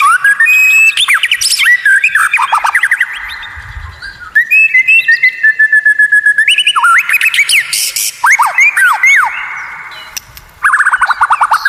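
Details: Rare, unusual masteran song from a white-rumped shama: long bouts of fast repeated whistles and descending slurs, changing phrases every few seconds, briefly broken by quieter gaps.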